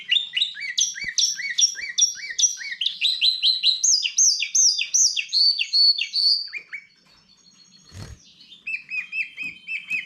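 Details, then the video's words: Goldfinch x canary hybrid delivering a long rapid trill of repeated falling chirps, about two and a half per second, rising in pitch midway, pausing briefly after a click, then resuming with lower repeated notes. "καρδερινοκαναρα (Goldfinch x canary)"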